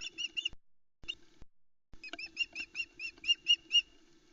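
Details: Osprey female at her nest cam site at Loch Arkaig, 4 July 2020, begging for the fourth fish of the morning as chicks crowd her. Short clusters of piercing, evenly repeated whistled notes, ending in a longer quickening run.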